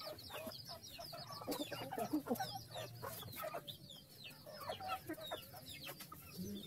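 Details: Feeding chickens on a farm, happy with their food: continuous murmuring clucks and short chirps overlap, broken by sharp pecking clicks, over a low hum.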